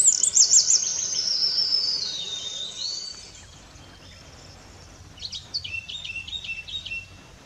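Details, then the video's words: Eurasian wren singing: a loud, very high, rapid rattling trill sliding downward, then after a short pause a second burst of quick, sharp notes; a song described as loud out of proportion to its small size. "Chochín cantando"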